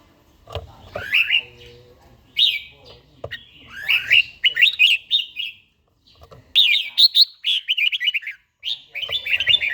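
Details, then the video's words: Red-whiskered bulbul, older bird with a wild-type voice, singing in the morning as part of daily song training; bursts of lively warbled, rising notes separated by short pauses, with some low knocking sounds. "chàomào HÓT SÁNG, LUYỆN CHIM HÓT HẰNG NGÀY"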